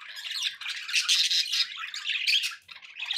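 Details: Budgerigars kept as pets produce loud, dense squawky warbling, a rough continuous chatter of high chirps and grating notes with a short dip near the end.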